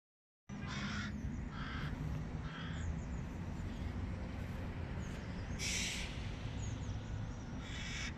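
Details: Hooded crows, at their first sighting with their young, give harsh, rasping calls in short bursts over a steady low rumble of wind.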